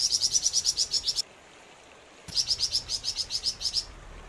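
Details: Flamboyan bird in full song: a rapid string of about eleven shrill, high notes, a second of silence, then another string of about ten similar chirps.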